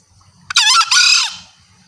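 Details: Green junglefowl call, used as bait to bring males in. One loud, strained, screechy two-part cry of under a second, dropping in pitch as it fades, over a faint low rumble.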